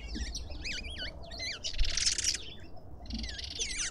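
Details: Shrill, wavering chirps from lovebirds at a suburban garden feeder in Pretoria, South Africa: quick looping notes repeated several times a second, a harsher burst in the middle, then more looping squeaks.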